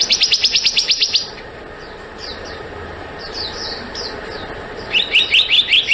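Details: Rapid ringing notes of a black-naped monarch open and close the recording, roughly eight per second. Thin, falling chirps from other birds sound during the pause between runs.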